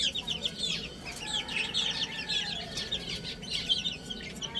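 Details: Little chicks eating and playing, a continuous chorus of soft, high, wavering peeps from several birds at once, with a faint low hum beneath.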